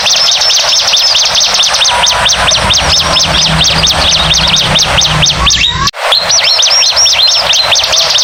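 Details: Busy bar-winged prinia song used to lure birds: an unbroken stream of quick, high, V-shaped chirps, several each second, cut by a short drop-out before resuming as loud, looping trills.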